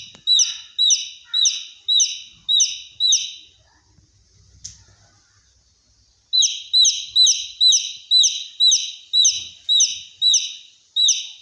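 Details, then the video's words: Baby chick whose call is likened to a fire alarm: loud, high, sharply down-slurred peeps repeated rapidly in steady runs of about two per second, a quiet gap with faint indoor thumps, then another long run. "Baby chick sounds like a fire alarm"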